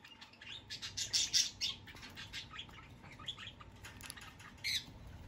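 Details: Two hand-fed Java sparrow chicks about two months old, kept indoors and learning to feed themselves; soft high chirps in a short cluster, then sparse faint notes and one final bright chirp, over low room hum.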